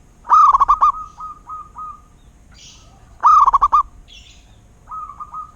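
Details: Song of a local Zebra dove: two trilled coo phrases three seconds apart, each a rapid run of beaded notes, trailed by softer repeated coos and ending with a fainter, more distant-sounding phrase.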